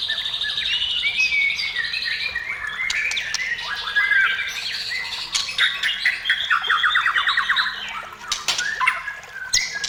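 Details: Rich varied song of a white-rumped shama, meant to spur other shamas to sing: whistled slurs, harsh squawky notes, sharp clicks and a fast rattling trill.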